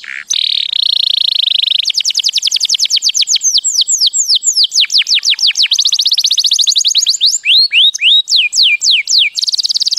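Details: Canary in mating song: long buzzy trill opening, then fast repeated steep downward sweeps, dense rapid rolls and rising-falling whistles, loud and unbroken for ten seconds.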